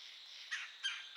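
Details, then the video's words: Calling woodpecker near a yearling doe gives three short, harsh, scratchy notes at even intervals over a constant high background hum. "a woodpecker calling"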